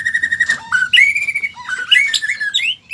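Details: White-rumped shama singing a varied run of clear whistled phrases, some steady and flat, others sliding up or down, with short rapid notes between them and little background noise.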